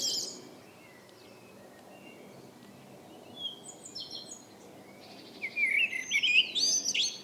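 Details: Blackbird evening song. A stretch of soft, distant high chirps from other birds gives way to a loud, fluting, wavering phrase and a scratchy high flourish over the final two seconds.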